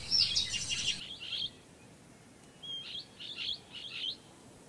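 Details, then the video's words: Blue-headed parrot (Pionus) uttering a loud, harsh, high chattering burst, then a series of five shorter shrill squawks at irregular intervals of about half a second, separated by quiet gaps. "Pionus Parrot (Blue head Parrot) video and sounds"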